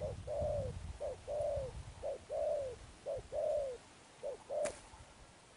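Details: Spotted dove cooing in a steady pattern of short note followed by a longer, slightly falling coo, repeated about five times, over a noisy background with a brief sharp click.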